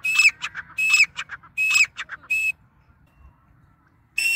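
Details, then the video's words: Shrill grey francolin (dakhni teetar) phrases, four fast whistled notes each trailed by clipped chatter, then a silent gap of over a second before a fifth phrase begins. "Grey Francolin Teetar Sound"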